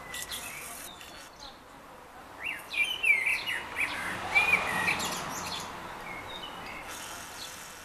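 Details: In Baia Mare, a common blackbird sings a short run of mellow, fluting warbled phrases over a soft background hiss, with faint high chirps from other birds.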